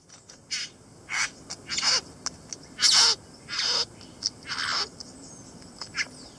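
Satin bowerbird giving harsh, hissing, rasping notes, about six bursts at uneven intervals, with short ticking clicks between them.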